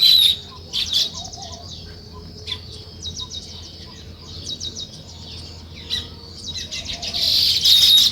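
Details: Sparrows in the morning where weaver birds are building a nest: scattered bursts of high, quick chirps separated by quieter pauses, growing into a louder chattering run at the close.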